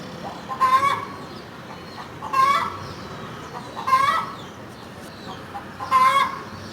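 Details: Hen clucking: four short, harsh clucks roughly every one and a half to two seconds, each a brief burst with a bright nasal tone, over steady low background hiss.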